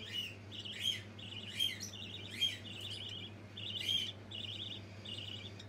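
A young budgerigar gives a run of high, scratchy chirps and warbling trills.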